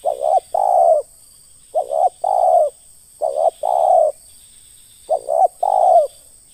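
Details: Spotted dove in a pikat luring setting, giving ngeruk calls: four phrases, each a pair of quick notes and then a rounded, slightly falling coo, separated by pauses of about a second, with a faint background whine.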